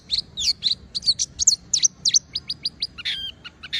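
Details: Oriental white-eye singing nonstop, a gacor performance meant to set other white-eyes singing: a lively run of varied high chirps and short whistled slurs, some rising and some falling, then a quicker string of clipped notes, against a faint low hum.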